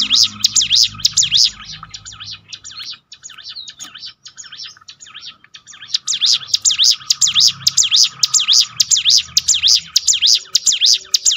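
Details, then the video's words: Bar-winged prinia song for training kept birds, with rapid high, buzzy repeated notes, then a quieter gap, then a long fast, regular run of shrill chirps. "bikin ciblek gunung Ngetop"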